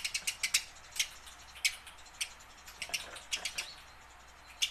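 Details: Tame house sparrow learning to sing, kept to coax wild-caught sparrows into calling; sharp, bright chirps in quick clusters, some paired and some single, with short silent gaps, against a quiet background.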